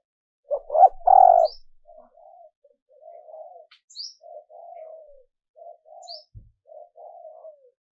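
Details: Female dove luring males: a loud three-part coo opening the sequence, followed by a string of softer, lower murmured coos, with faint high chirps above.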